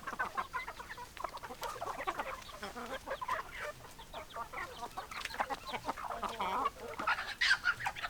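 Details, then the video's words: A flock of hens and roosters clucking steadily, busy overlapping short notes with louder sharper calls toward the end. "Chicken Sounds Noises Hens Clucking Roosters Crowing"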